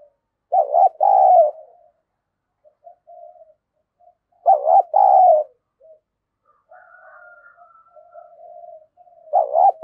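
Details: Caged spotted dove used as a decoy to provoke rival doves gives its daily coo. Low, rolling two-part phrases repeat about every four seconds, with soft murmured notes and a thin whistled tone between them.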